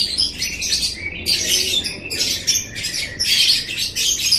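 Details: Lovebird chattering, ngekek style, played to make pet lovebirds chatter: continuous raspy, high squeaks and twitters in overlapping bursts with a short gap just past one second.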